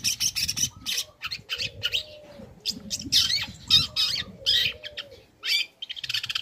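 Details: Young long-tailed shrike used as a lure for other shrikes, singing a busy series of high sharp chirps and short scratchy phrases, with faint lower whistles beneath.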